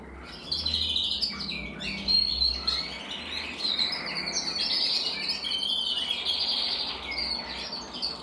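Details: Grizzle-crested canary from 2023 delivering a dense, unbroken song of rapid high trills and chirping phrases that barely pause, with a faint low background hum throughout.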